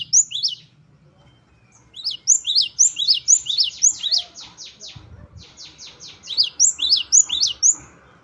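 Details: Great tit wucit-wucit song in mixed phrasing: high whistled two-part notes alternate with runs of rapid, buzzier repeated notes.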